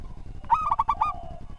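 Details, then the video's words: Lively local zebra dove with a well-ordered song, recorded as a master for other birds. A single quick phrase of five ringing, bubbling coo notes followed by a soft trailing tone, over low rumble. "Perkutut Lokal Gacor Suara Tersusun"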